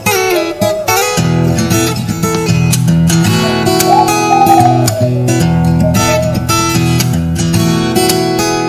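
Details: Loud strummed and plucked guitar music fills the whole recording, with no animal voice standing out.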